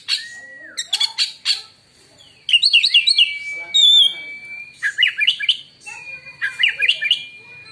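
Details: Oriental magpie-robin, whose song is claimed to make other magpie-robins go silent: a drawn-out whistle, clicky chips, then steady long whistles overlaid with fast warbled twitters.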